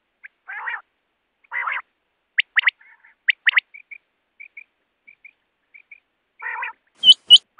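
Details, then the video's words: Common quail (batair): harsh rasping notes, then crisp three-note calls, a string of soft double chirps, and loud ringing triplets at the close. "Common Quail Sound"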